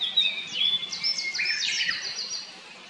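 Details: A blue-and-white flycatcher, a summer visitor arriving in 2024 at satoyama woodland and a mountain stream, sings a quick, high phrase of clear whistled notes that slide and tumble, ending in harsher, buzzier notes.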